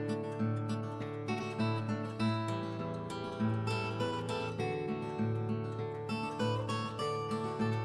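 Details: Plucked acoustic guitar music with a steady strummed rhythm and bass notes throughout, and no animal voice anywhere.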